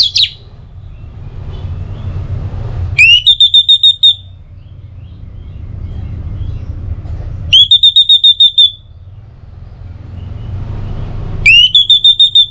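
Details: Orange-headed thrush used as a morning and evening lure so other birds sing: three phrases about four seconds apart, each an upward sweep followed by six clipped, high whistled notes, with a faint low hum between.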